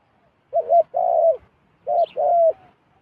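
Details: A wild zebra dove descends toward a decoy while repeating a two-part coo, a clipped wavering note and then a fuller drawn-out rolling note, heard twice, loud and close. A faint high twitter occurs once.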